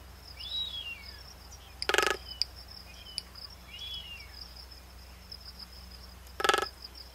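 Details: Magnificent frigatebird of the nominate subspecies, Fregata m. magnificens, on Seymour Norte, Galápagos, Ecuador, in May 2012: three thin arched whistles falling in pitch, two loud short rattling bursts, and a steady high insect-like hum throughout.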